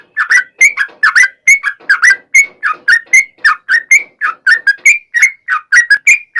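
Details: Yellow-vented bulbul in long, rapid song used as a lure to make other yellow-vented bulbuls sing back: a steady stream of short, bubbly, slurred notes, about one per third of a second, each sliding around a mid-high pitch.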